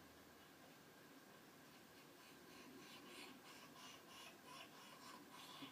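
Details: A noisy woodpecker at its nest hole, with a jackdaw's nest just above, gives soft, harsh rasping notes, about three or four a second, building after a quiet start over a steady background hiss.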